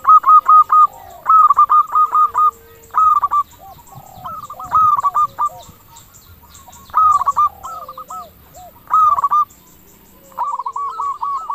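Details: Local zebra dove singing steadily in a clear 'crystal' voice, used as a lure so other doves answer fast and quiet birds are stirred into breeding mood: loud bursts of quick staccato coos about every two seconds, softer coos between them.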